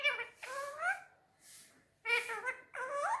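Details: Talking Indian ringneck parakeet on a table, saying Urdu/Hindi words: two pairs of nasal, harmonic spoken syllables with rising pitch, separated by a breathy pause.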